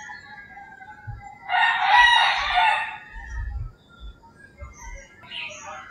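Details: Early-morning rooster in the rural Philippines giving one loud, harsh crow of about one and a half seconds, with faint distant crows, a high bird chirp, and low thumps.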